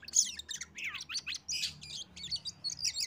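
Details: Oriental magpie-robin (kacer) singing, used as a lure so other birds join in: a rapid, varied run of high whistles, chirps and sharp slurred notes packed closely with brief pauses, bright and loud throughout.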